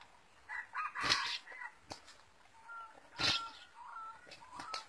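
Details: Wild red junglefowl approaching a lure, with broken crowing phrases and short tonal notes mixed with sharp clicks and rustling, two loud bursts about two seconds apart.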